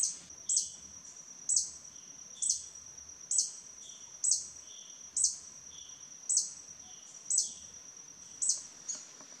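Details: Violet sabrewing in Costa Rica, a bullying hummingbird guarding its territory with persistent calls. About eleven sharp high chips, each roughly a second apart, with a faint lower note after several.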